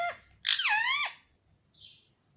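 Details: Indian ringneck parakeet kept as a pet, imitating Hindi speech: a short clipped note, then one long, loud, nasal word-like phrase that dips and rises, followed by a faint high squeak.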